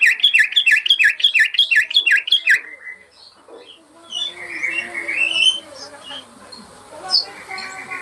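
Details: Yellow-vented bulbul master song for caged-bird training: about three seconds of rapid bubbly whistled notes, followed by softer, fainter chirps and background chatter.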